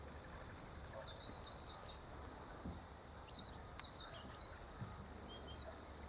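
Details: White-eared honeyeater visiting to sip nectar from redbell kalanchoe flowers: thin, high chirps and short squeaky notes scattered irregularly through the clip, faint against a steady low rural hum.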